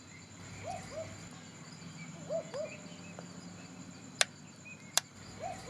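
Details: A Barking Owl calls from a tree near a night-time wildlife park, giving short, dog-like double barks, 'wook-wook', a few times, over a steady high insect hum with two sharp clicks.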